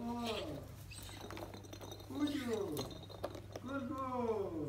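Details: A female umbrella cockatoo, captive-bred in Iran and kept in Tehran, playing with toys, gives a few drawn-out, arching, speech-like calls rising and falling in pitch, over a low steady hum.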